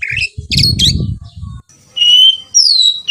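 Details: Oriental magpie-robin (kacer) from a hobbyist's collection. Buzzy chirps come over low rustling, then two long clear whistles, one level and one gliding downward.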